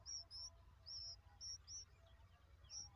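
Bulbul chicks give thin, very high chirps in short bursts, several a second, over a steady low background rumble.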